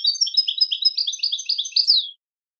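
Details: European goldfinch singing a fast, tinkling twitter of repeated chirrup notes, rhythmic and bright, closing with a descending slurred note after about two seconds; silence follows.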